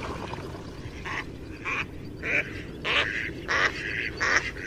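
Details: Duck quacking in a pond, short harsh nasal quacks in uneven bursts about once a second over a steady noisy background hiss.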